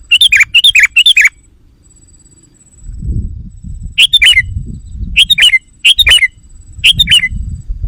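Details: Lure call of a sooty-headed bulbul, played to rouse wild bulbuls. A rapid burst of several liquid chirping phrases comes first. After a pause, four more bubbly three-note phrases follow about a second apart, with low background rumble between them.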